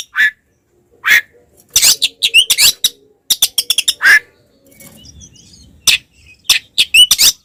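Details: Oriental magpie-robin fighting song aimed at provoking rivals: scattered sharp notes, then a burst of rapid chattering and twisting whistles, a quieter gap with faint rustling, and final harsh clipped calls.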